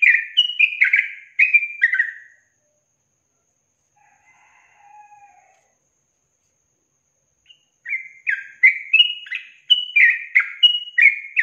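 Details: Yellow-vented bulbul giving 'ropel panjang' long trill song for songbird training: a rapid burst of bright, slurred chirping notes, then about five seconds of near silence with a faint low murmur, then a second longer run of fast bubbly whistles.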